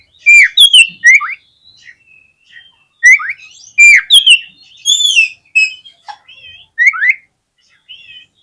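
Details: Oriental magpie-robin lure song, meant to provoke other magpie-robins into singing their full repertoire: loud whistled notes sweeping up and down, some slurred, in bursts separated by short pauses, with softer twittering between phrases.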